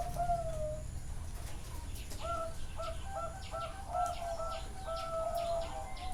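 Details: Zebra doves at a bird farm in Chana, Thailand: a falling coo, then several doves cooing together in short, evenly spaced pulses and sustained tones.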